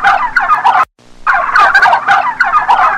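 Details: Loud, dense turkey gobbling, a rolling rattle of throaty notes broken by one brief gap, possibly several birds calling together.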